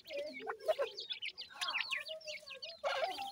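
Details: Grey francolin chicks at feeding time: a run of quick, high, wavering peeps and downslurred chirps, over a steady low clucking note and a burst of scratchy noise at the end.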